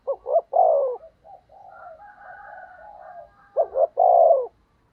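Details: Decoy spotted dove cooing to attract wild doves: a double short note and a long falling coo, then softer trailing coos and faint higher tones, and a second full phrase.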